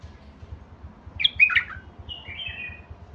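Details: Basra bulbul voice: a brief jumbled chortle, then a pair of smooth, gently falling whistled notes over a faint low hum.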